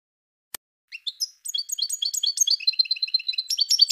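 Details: European goldfinch song, parva, from a compilation: after a faint click, bright twittering notes begin high and build into a rapid, liquid run of repeated chirps and trills, growing louder toward the end.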